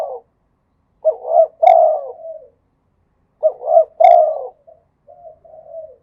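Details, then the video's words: Spotted dove from Thailand singing in the cooing styles called khat and nun: two low, mellow phrases about three seconds apart, each a quick stuttering run of coos ending in a longer drawn-out coo, then a few soft trailing coos. ""ทั้งขัด ทั้งหนุน" เสียงนกเขาใหญ่"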